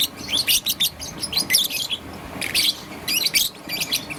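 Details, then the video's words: Morning chirping from a young peach-faced lovebird, green and yellow, with rapid sharp high chirps in bursts, a busy run at the start, then spaced clusters. "Relaxation of Lovebird's melodious chirping sound - Young Peach Face Lovebird"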